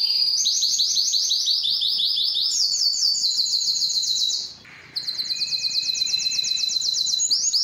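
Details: Canary in strong, prolonged song to attract a mate for breeding; successive high trills of repeated notes step between pitches, a short gap, then another level rolling trill resumes.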